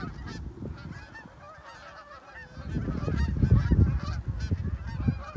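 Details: Migrating geese at summer's end, a many-voiced flock honking overhead in short, overlapping, nasal calls. Heavy low rustling and thumps from a dog walk sit beneath, getting louder in the second half.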